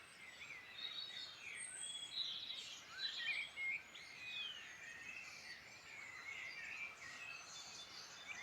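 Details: Irish Midlands birds sing a varied dawn-like chorus of sliding whistles, twitters and quick chirps, some notes rising and falling, over soft constant noise.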